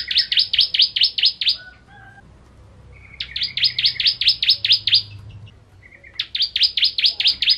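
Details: Bar-winged prinia (ciblek kristal) singing in the full ngentrok style: three bursts of eight to ten sharp, high, downswept chips in quick rhythm, separated by brief pauses holding a few soft, short notes.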